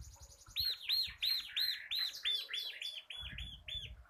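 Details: Tutor song from a local crystal bar-winged prinia in ngebren style: a fast, steady string of about eleven bright arched chirps, slightly slurred together, with low rumbling noise near the end.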